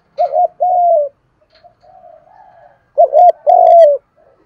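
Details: Spotted dove calling to incite other doves to coo and fight: a two-note wavering coo and long hoot, a pause with faint soft cooing, then the same phrase repeated louder.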